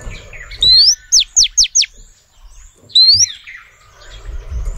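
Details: Female oriental magpie-robin calling for males: one rising whistle then four rapid descending slurs, followed after a gap by another rising whistle, over a low hum of background noise.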